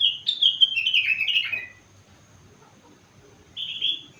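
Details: Kept sooty-headed bulbul, four months old, delivering rengganis and cucak wilis mimicry: a rapid descending chain of bright whistled chirps, then a pause and one short warbled phrase.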